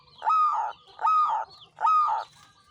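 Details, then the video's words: Champion zebra dove, a local bird, singing persistently: three resonant, rich, hollow cooing notes about half a second each, evenly spaced, in a quiet setting. "SUARA BURUNG PERKUTUT JUARA GACOR NGANCING"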